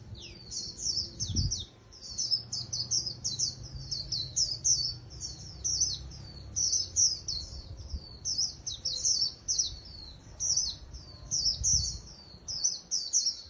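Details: Japanese white-eye, wild-caught and kept caged, in sustained song: a steady stream of rapid high twittering phrases with falling slurs, pulsing in short bursts, plus a couple of low thumps.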